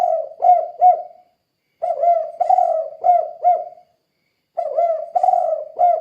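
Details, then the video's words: Vigorously calling spotted dove in 'kuk 2' style, used as a lure for other doves: three rhythmic phrases of hollow, punchy coos, each with two or three accented notes, separated by short pauses. "Suara Burung Tekukur Gacor Kuk 2 Untuk Pancingan Derkuku"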